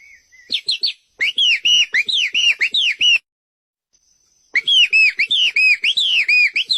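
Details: White-rumped shama singing full isian masteran song: rapid strings of rich, rolling whistled notes, each arched up and down, delivered about four per second in two long bursts split by a second of silence.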